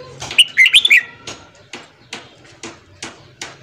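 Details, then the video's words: Morning song of a red-whiskered bulbul, used for training newly caught birds: one bright, rapid, warbling phrase lasting about half a second, followed by a series of sharp dry clicks or taps roughly every half second. "luyện giọng chào mào hót sáng kích lửa cho chào mào bổi"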